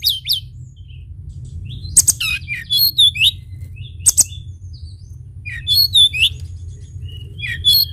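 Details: Sunda bush warbler in vigorous lure song: phrases of high curling whistles and twitters about every two seconds, punctuated by sharp broadband clicks, over constant low hum.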